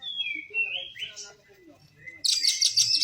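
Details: Oriental magpie-robin (kacer), a caged bird described as having fallen into the wrong crowd: clear whistled notes gliding down and up for two seconds, then a dense, loud burst of high chattering trills, with a man talking softly.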